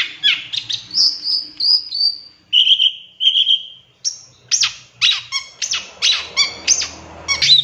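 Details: Long-tailed shrike in a lure recording with 'tembakan' filling: high sliding whistles and a pair of steady held notes, then a series of sharp, buzzy, metallic bursts repeated about twice a second.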